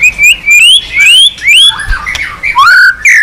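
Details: Persistent white-rumped shama song with varied voices: a sequence of bright upslurred whistles, about two each second, then lower warbled notes and a downslurred fluty phrase, over a quiet background.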